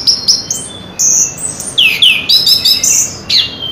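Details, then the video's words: Chestnut-capped thrush singing a lively, varied phrase of thin high whistles, downward-sliding slurs and sharp chips in close succession. "burung anis kembang gacor"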